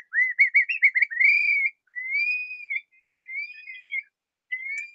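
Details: Long-billed curlew, a migratory species of greatest conservation need in Idaho and declining in southwest Idaho, giving a contact call as a quick run of rising, slurred whistles, then a flight song of longer, clear, upslurred 'cur-lee' whistles about a second apart.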